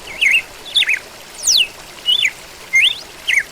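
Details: Six bright whistled phrases from a red-cowled cardinal within a few seconds, each a quick slurred note either climbing or falling sharply, separated by brief pauses, with soft hiss underneath.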